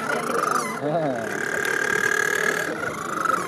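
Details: Two little penguins at St Kilda breakwater, Melbourne, Australia, in April 2018, home after a day fishing, sing together in a loud, harsh, braying chorus that holds steady and grows louder; a man's voice is heard close by.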